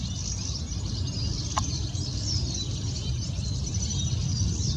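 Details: A Goldfinch's continuous, high, tinkling twitter at night runs without pause, over a steady low rumble of background noise.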